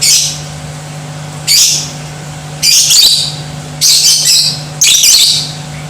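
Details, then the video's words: Lovebird song aimed at making other lovebirds aggressive and singing: five shrill, raspy chattering bursts roughly a second apart, with a steady low electrical hum beneath. "Di Pancing Suara Lovebird Ini , Bikin Jadi BRIGAS"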